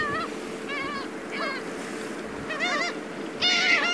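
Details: At Ito fishing port in Tateyama, Chiba, Japan, on 16 October 2020, black-tailed gulls around a fishing boat give nasal, mewing cries, five in four seconds with slight bends, the last louder and overlapping, over a steady low engine hum.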